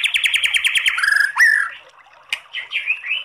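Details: White-rumped shama singing a kretekan with long tembakan phrases, used to provoke other shamas into song: a fast rattling series of about ten sharp repeated notes, then a rising whistle and slurred, warbling phrases.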